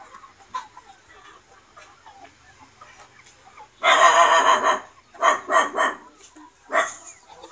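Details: Free-range Vietnamese chickens, Noi, bantam and crossbred, in a broad garden yard during the day; faint clucks at first, then a loud harsh squawk about a second long, followed by three shorter squawks in quick succession.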